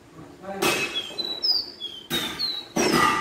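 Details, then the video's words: Pé de serra caboclinho, a kept songbird brought to a metalworks, gives high clear whistled slurs between loud metallic bangs and workshop clatter. "CABOCLINHO CANTANDO MUITO,ESSE É O CABOCLINHO PÉ DE SERRA"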